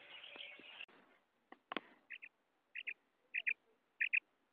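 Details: Female common quail (batair) calling in Pakistan, used as a lure in quail hunting. After a brief burst of noisy rustling, a series of paired short, sharp notes is repeated roughly every three quarters of a second.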